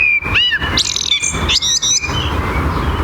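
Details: A Common Blackbird sings at dawn in Madrid's Royal Botanic Garden: a few clear whistled notes, then high, squeaky twittering flourishes, over the steady low rumble of traffic on the Paseo del Prado.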